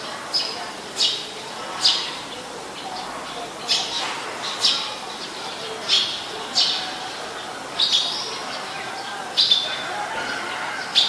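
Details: Eurasian tree sparrow in Ubon Ratchathani, Thailand, 10 May 2020, where it is a very common resident: a steady series of short, high, sharp chirps roughly every half second to second, with a soft noisy background.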